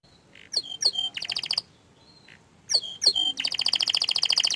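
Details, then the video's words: Canary giving a couple of sharp downswept notes and a brief trill, a pause, then the notes again leading into a fast, even, high rolling trill. "Suara Kicauan nya Mantul Sekali tapi Sayang Kenari ini"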